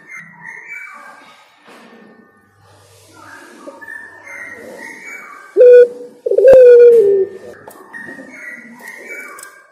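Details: Spotted dove song: several seconds of busy chirping and twittering from other small birds, then two loud, low cooing notes from the dove, the second longer and gently falling.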